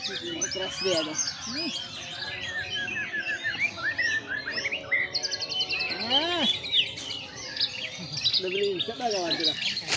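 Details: Murai batu, the white-rumped shama, set out in the sun to open up its voice and unload its repertoire: rich, rapid song of sweeping whistles, rattles and looping notes, loud and continuous.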